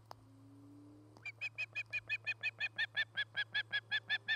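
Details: Osprey at a nest near Charlo, Montana, where a pair is building a new nest and courting; a steady series of about seventeen short, sharp chirping notes repeated roughly every quarter second, over a constant low hum.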